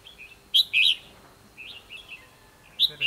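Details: Red-whiskered bulbul singing a fighting song during trapping: short loud whistled phrases at the start and end, with a few softer chirps between and men talking nearby.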